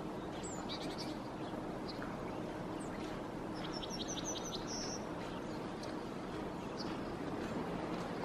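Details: Yellowhammer perched in a tree in Helsinki, Finland, in February 2022, singing a quick run of high, thin repeated notes ending in one longer drawn-out note, faint over steady rushing background noise.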